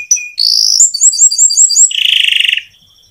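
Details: Canary singing a long rolling song to draw other canaries into song: a short whistle, a rising note, a string of quick repeated high chirps, then a buzzy fast trill fading out.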